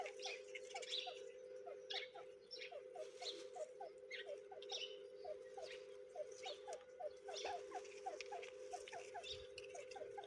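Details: Grey francolin chicks (Dakani teetar) giving short, downslurred peeping chirps in quick, steady succession, several a second, over a constant droning hum and faint higher background noise.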